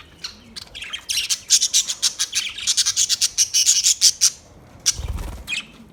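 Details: Budgerigar chattering in a fast, rhythmic series of sharp high chirps, about five per second, stopping briefly before a few more notes.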